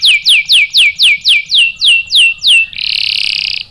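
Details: Canary singing to provoke a male: ten evenly spaced loud downward-swept whistles, about four per second, followed by a rapid buzzy trill.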